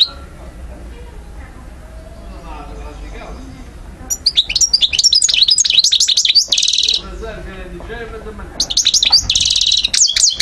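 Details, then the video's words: An Algerian goldfinch of subspecies parva, recorded around Algiers in 2012; a quiet start with faint low voices, then bursts of rapid high twittering and buzzy notes from about four seconds, pausing once before resuming. "Carduelis* chardonneret* jilguero* حسون"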